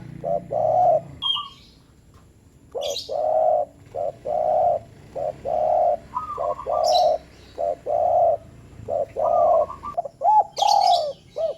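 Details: Spotted dove short call used to prompt lazy doves to call: steady run of low, hollow coos, clipped notes and longer drawn-out croons repeating almost without pause, with thin high chirps from other birds now and then.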